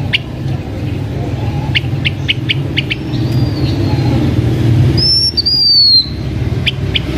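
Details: Blue-winged minla singing as a decoy bird: a brief high whistled phrase sliding downward, preceded by a run of sharp ticking notes over a steady low rumble of background noise.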